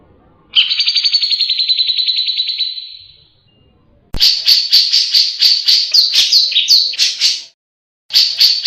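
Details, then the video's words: A singing grey-cheeked bulbul, the cucak jenggot, recorded as tutor song for cage birds: a long fast-pulsed trill fading out, then a loud run of repeated sharp chattering notes with downward-slurred accents. "Suara Burung cucak jenggot gacor, bisa buat isian"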